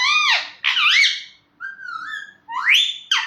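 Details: Pet parrot indoors, in a small room, making loud, slurred, speech-like vocal phrases that swoop up and down in pitch. Three or four separate utterances are broken by short pauses, and the last one rises sharply.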